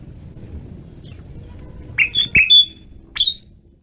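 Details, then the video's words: Asian pied starling giving a few loud, clipped whistles and a sharp upswept squeak over a steady low hum. "jalak suren menggila"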